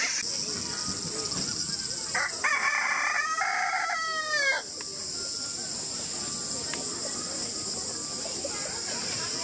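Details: A Silkie rooster at Ichihara Elephant Kingdom, Chiba, Japan, on 4 August 2018 gives one hoarse, broken crow of about two seconds ending in a falling note, over a steady high insect drone and brief speech.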